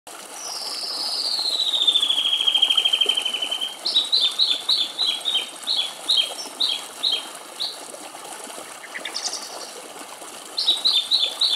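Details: One of three song thrushes drinking rainwater at a bird bath in Greece opens with a long, high whistle sliding downward, then a run of short, bright notes repeated in quick phrases, over a steady watery hiss.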